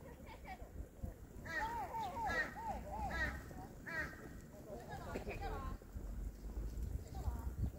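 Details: Red-crowned crane in snow at Kushiro Tancho Nature Park, Hokkaido, Japan: a burst of loud, arched trumpeting notes in quick series, then a second shorter burst, over steady low rumble and faint voices.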